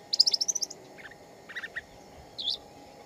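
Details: Shama singing in the wild: a fast run of about eight high, clipped chirps, then a few lower husky notes and a final short warbled burst, over a steady low hum.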